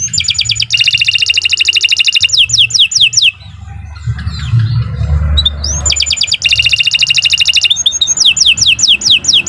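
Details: Canary (kenari) song used as a tutor recording for other birds: rapid high rolling trills and repeated rising sweeps, with a quieter gap midway filled by low background rumble.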